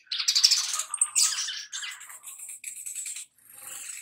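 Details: Little spiderhunter, known locally as sogok ontong or sogon, used as a lure to make birds sing: dense, high, scratchy chattering notes run together for about three seconds, loud at first, then fading into softer trills.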